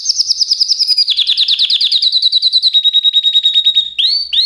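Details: Canary song: a fast, gently falling trill gives way to a steady rapid trill at one pitch, then two rising swoops.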